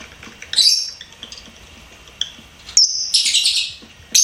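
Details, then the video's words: Pet lovebird chirping: a few sharp, high squeaky chirps and a short shrill trill separated by quiet stretches with faint background hiss. "LOVEBIRD SINGING & CHIRPING SOUNDS"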